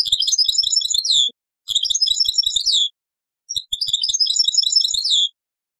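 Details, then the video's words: Three short bursts of European goldfinch song in the taqsrain style from an old cassette, each a quick jumble of high tinkling twitters ending in a falling note, with faint low taps. "تغريد تقصراين من كاسيت قديم"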